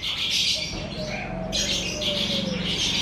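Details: Morning birds near a house, with loud high chattering chirps in two long bursts over a faint, drawn-out low whistle and a steady low rumbling hum.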